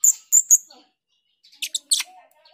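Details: Female Grosbeak starling calls used as a lure: three piercing high chips in quick succession, then a short run of scratchy, buzzy notes and a brief low tone.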